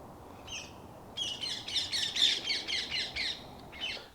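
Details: A vocal local parakeet in the UK, squabbling with local squirrels, gives harsh, rapid squawks, about four a second, in a burst lasting a few seconds over low background hum.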